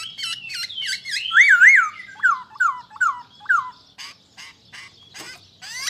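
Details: Whistled song of a masked laughingthrush, a valley-dwelling bird: chattering notes lead into loud wavering whistles and a run of four falling slurred phrases, followed by softer scattered clicks and calls.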